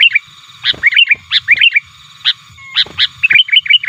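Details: Sooty-headed bulbul calling and challenging opponents to draw in wild birds. Quick descending chirps alternate with louder single blunt notes, ending in a lively run of bouncing chirps.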